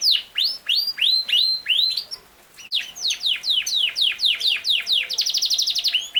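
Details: Yorkshire canary, a large breed also called king size canary, singing: loud series of steeply falling whistled notes repeated about four per second, ending in a rapid trill of short rising notes.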